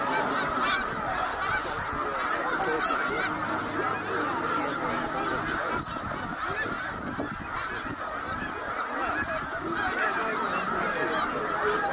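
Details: Snow goose migration at Middle Creek, Pennsylvania, 2023, with a vast flock overhead: a loud, seething chorus of nasal honks, with bright calls standing out now and then above the steady mass.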